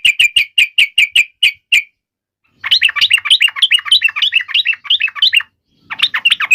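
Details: Yellow-vented bulbul singing a combative fighting song to make other birds reply: a string of sharp evenly spaced chips, a pause, then a rapid scratchy warble of rising and falling notes.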